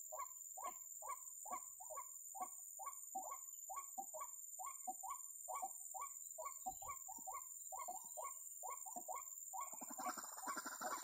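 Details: White-breasted waterhen, recorded during bird snaring, repeats clear hollow notes at an even rhythm of about two per second. A burst of broadband rustling noise covers the last second.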